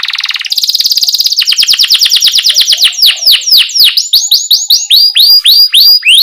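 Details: Canary in full chirping, rolling song, used as a tutor for young canaries just learning to sing: opens with a dense buzzy trill, then quick rapid series of high downward-sweeping whistled notes, several per second, growing clearer and more spaced.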